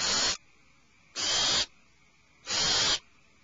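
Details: Alarmed owlets in a nest cavity give three harsh, hissing screeches, each about a third of a second long and spaced a little over a second apart, with quiet between them.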